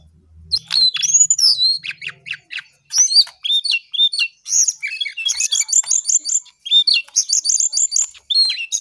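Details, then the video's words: Lesser shortwing, known locally as Cingcoang coklat, in full energetic song: loud bursts of high, quick whistled phrases and chattering trills, separated by brief gaps, after a low hum at the start. "Jongkangan/Cingcoang coklat paling gacor"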